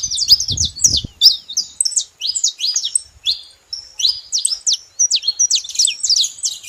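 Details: Noisy saffron finch (canário-da-terra) giving a long run of high, clipped chirps and rapid zigzag notes in clustered bursts with short pauses, a brief low thumping near the start.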